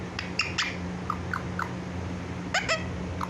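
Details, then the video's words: Talking pet parrot, said to call "mummy mummy"; brief scattered clicks and sharp chirps, a few short squeaky notes in quick bursts, against a faint steady hum. "mummy mummy|| mithu ko || parrot talking|| clear voice"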